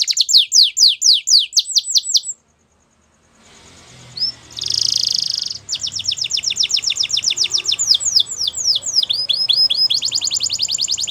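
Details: Canary singing in the morning; rapid repeated downward-sweeping whistled notes, a pause, a short buzzy trill, then long runs of fast high chirping phrases.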